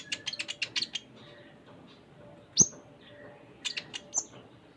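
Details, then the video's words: Kolibri ninja (konin) singing in 'full isian' style: a quick run of high, thin chirps, then single sharp, piercing high notes after quiet gaps, followed by a second short chirping run. "Konin Gacor Full Isian"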